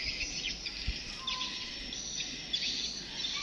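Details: Swiftlets lured in with a new 2022 call recording obtained from Singapore; rapid, overlapping high chirps and twitters over constant hissing background noise, with a few low thumps.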